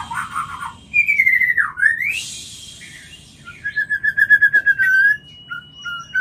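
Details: Breeding-lure call of a White-rumped shama: a clear whistled note dips and climbs, then a rapid even series of about a dozen bright repeated whistles, closing with a short high note and a faint steady tone.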